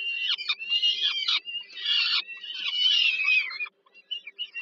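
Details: Peregrine falcon chicks fed by their mother at dinner on the Żerań thermal power station in Warsaw, Poland, 15 July 2022. Harsh, raspy, wavering screeches in three long bursts, then shorter broken calls, over a faint steady low hum.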